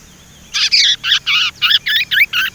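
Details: Young Sumatran leafbird in training produces a fast string of loud, rasping, chattering notes, roughly four per second, each rough and broadband, with little background noise.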